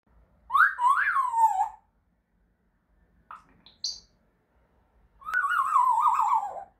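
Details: African grey parrot giving two loud whistled calls with rich harmonics. The first rises and falls in a wavering way, and a long quavering note follows after a few brief chirps. The background is quiet.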